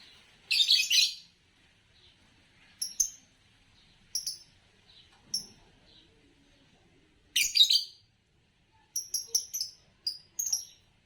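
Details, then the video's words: Green Fischer's lovebird chirps: a dense scratchy burst opens, followed by spaced short piping notes, another harsh burst, then a quick series of clipped high notes at the close. "10 Charming Variations of Lovebird Chirping Sounds"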